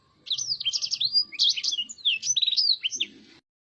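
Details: Blackthroat singing softly: a lively, sustained string of high, sweet whistled slurs and twitters, ending abruptly.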